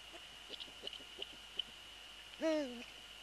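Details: Eurasian eagle-owl at the nest, 3 February 2014, prey transfer and male on the nest: soft periodic ticks, then one strong, bright, harmonic-rich call that slides downward, with a steady high background whine.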